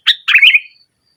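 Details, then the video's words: Sooty-headed bulbul in chatty 'nggaruda' style song, meant to press a rival and to lure a bulbul that has stopped singing into singing. A sharp chirp, then a brief burst of buzzy, warbled notes, with a quiet background. "Suara Burung Kutilang Gacor Menekan Lawan NGGARUDA, Pancingan Kutilang Mogok"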